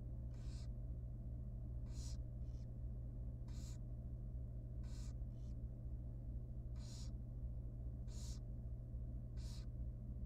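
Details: Tiny wild barn owl chick begging at feeding time inside a nest box: rasping, breathy hisses about a second apart, some in quick pairs, over a constant low mechanical hum.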